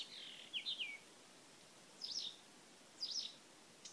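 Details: Blyth's reed warbler song at Lindö udde: a descending slurred, buzzy phrase followed by two brief high chattering notes about a second apart. Quiet, with background hiss.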